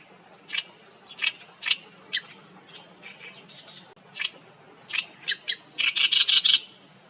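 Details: Oriental reed warbler singing energetically with beak wide open: scattered harsh, grating chirps at uneven intervals, building to a quick run of loud rasping notes near the end, over quiet background.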